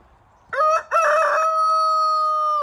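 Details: A pet rooster kept with hens gives a loud crow: two short opening notes, then one long level held note lasting well over a second, ending in a brief drop, in quiet surroundings.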